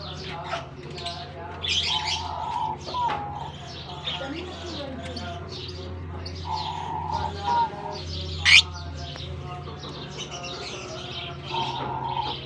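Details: Flock of lovebirds newly released into a colony for the summer season in Germany; continual squeaky chirping and twittering, recurring held whistle notes, one sharp loud squawk past the middle, and a low background hum.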